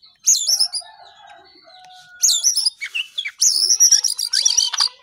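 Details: Brown shortwing (jongkangan) giving three bright bursts of high, rapid whistled chirps and slurred notes, each outburst split by roughly a second of near silence.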